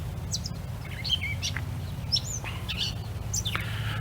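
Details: On a nature walk in an arboretum in Hunterdon County Park, a Gray Catbird, a common bird used to people, gives a patternless jumble of short, squeaky, whistled notes at varying pitches over a steady low rumble.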